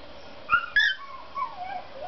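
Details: Cockatiel parrot singing: two sharp chirps followed by soft warbling whistles that slide downward, heard indoors over a low hum.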